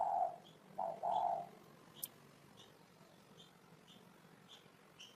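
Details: Spotted dove giving a short low cooing phrase, a brief coo then a longer drawn-out one, followed by quieter high thin chirps of small birds.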